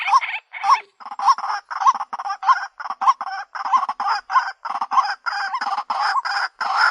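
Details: Rasping, nasal croaks from a White-breasted waterhen lure call repeat rapidly and unevenly. Several notes carry a brief, rising hooked tone at the start.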